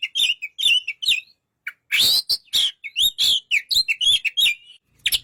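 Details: Oriental magpie-robin with a lively, varied song: warbled whistles and harsh, buzzy notes alternate in rapid, closely spaced phrases.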